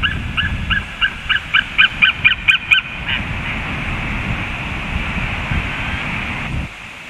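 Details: An eaglet calls at 19:09 as an adult eagle flies away: a quick run of about ten short, sharp, harmonic notes repeated several times a second over three seconds, followed by steady broadband rushing noise, probably wind.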